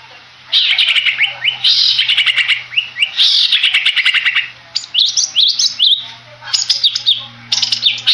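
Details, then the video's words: Long-tailed shrike (Madura type), a caged contest bird, singing loud rapid runs of downslurred whistles and harsh notes in dense bursts, with a low steady hum beneath. "CENDET MADURA SANG RAJA.. Di STIAP IVENT"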